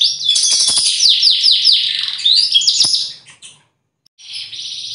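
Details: Bottle-green canary pouring out a wild, varied song: fast high rolling trills and sweeping twittered phrases run together for over three seconds, a short pause, then another high sustained trill begins.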